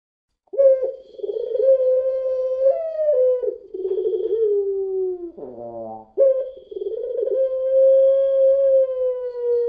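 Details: Long-voiced dove of the puter pelung type, used as a lure call, in the style called crying until coughing. Drawn-out, steady mid-pitched moaning notes are broken by a short rough gurgling stutter, then the long note resumes.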